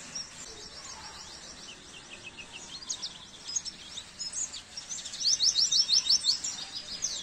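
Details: Oriental white-eye song used as masteran training material for caged birds: faint high twittering for most of the stretch, then a louder burst of quick chirps near the end over a steady background hiss.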